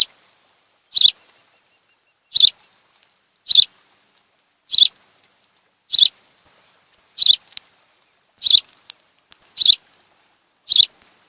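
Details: Afternoon of 26 July 2018 at a Kent Island, Maryland nest shared by a mated osprey pair: a regular series of about nine sharp, high chirps, slightly more than a second apart.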